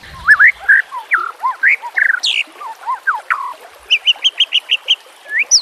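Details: White-rumped shama song from a training recording mixed with nature sounds and trickling water: varied clear whistled phrases with rising and falling slurs, ending in a rapid series of short repeated high notes, over a soft steady hiss.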